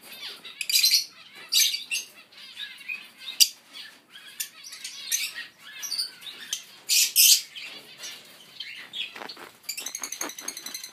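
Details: Zebra finch baby (Taeniopygia guttata) giving short, high, buzzy chick chirps in uneven bursts.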